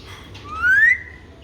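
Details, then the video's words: Alexandrine parakeet, a pet talking parrot, giving one smooth rising whistle that climbs steadily and fades, over a faint low hum. "Alexander parrot talking"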